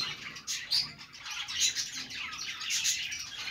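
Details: Happy budgies make loud bright chirps and rippling twitters in a constant, lively stream of chatter.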